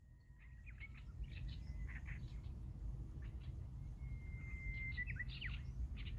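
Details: Japanese bush warbler singing among many other birds: a long, steady whistled note held for about a second, then a quick downward-sweeping flourish, set against busy chirping from other birds and a constant low rumble.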